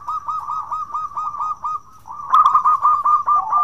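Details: Frequently singing local zebra dove, a bekur-style lure recording meant to prompt other doves: a steady run of quick, pulsed, hollow coos, growing louder and harsher partway through, ending on a slightly lower note.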